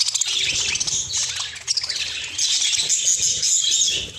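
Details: Budgerigars in a cage, excited by fresh corn: overlapping high chirps and squawky warbling from several birds, with some wing flutter.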